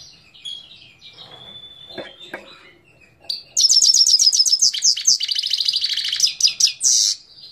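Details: Himalayan goldfinch in song at Parachinar, Pakistan, 2022: faint whistles and twitters, then a long loud outpouring of fast, high, jangling repeated notes and trills lasting about four seconds.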